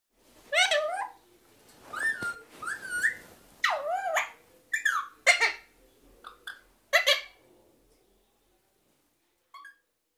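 Alexandrine parakeet giving irregular bursts of harsh, speech-like utterances mixed with a few clear, level whistles, then falling quiet after about eight seconds.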